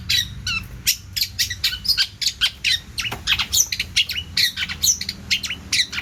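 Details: Vigorous long-tailed shrike song rich in varied fill-in phrases, meant for tutoring songbirds: an unbroken run of scratchy chirps, buzzy squawks and sharp high notes tumbling together without pause.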